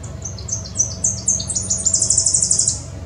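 Tennessee warbler song: very high, thin notes repeated in a series that quickens steadily and ends in a rapid, dry chatter of chips.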